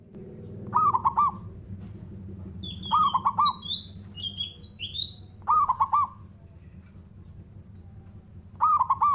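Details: Local male zebra dove's rival-provoking song, four quick rolling coo phrases, clipped and resonant, repeating every two to three seconds; between them another bird gives short high, sliding whistled chirps, with a low rumbling hum underneath.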